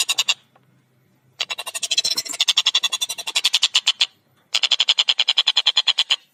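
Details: Tengkek buto, the collared kingfisher, calling actively with a clear voice and quick, close-set delivery: a short burst, a pause, then two long rattling strings of harsh, evenly repeated notes.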